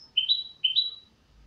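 A goldfinch hybrid gives two bright, slurred notes about half a second apart, each sliding upward at a high pitch. The background is quiet.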